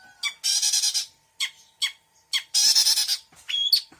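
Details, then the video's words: Long-tailed shrike's mixed 'isian' song here is dominated by harsh rasping squawks, with short sharp notes between them and a brief whistled phrase at the end. "Suara Cendet Campuran Isian Full"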